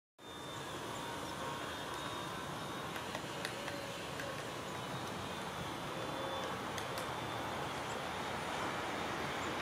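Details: Steady roaring traffic noise fills the recording throughout, with only a few faint clicks and no animal call heard.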